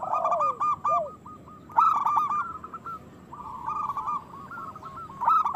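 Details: Overlapping rolling coos from local zebra doves, played to stimulate other doves into breeding condition and song. A loud burst opens, then repeated quavering notes follow, with a quieter stretch midway and a strong note at the close.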